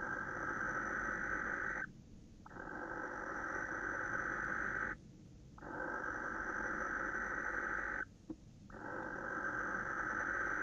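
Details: Barn owl, a male directing calls at a female, late evening of 26 December 2017; drawn-out rasping hisses of about three seconds each, repeated four times with short silent gaps between them.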